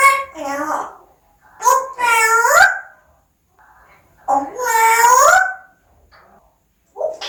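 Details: A parrot talks in two clear, speech-like phrases, each with rising and bending harmonic tones lasting about a second, separated by a pause, inside a small room.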